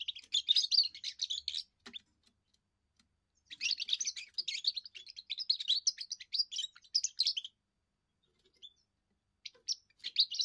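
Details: European goldfinch, young bird, first song used to guard territory and attract a mate: dense high twittering phrases of about two to four seconds, a quiet gap, then renewed tinkling bursts at the close.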